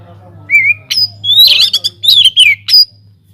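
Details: White-rumped shama in an aviary, singing as a lure for other birds: a soft rising whistle, then loud grating buzzy notes and quick sharp chips in several bursts, low hum underneath.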